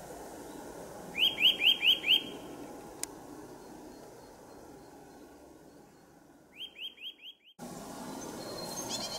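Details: A Eurasian nuthatch sings in a forest in March, giving short series of loud, rising whistled notes over a steady low background hum.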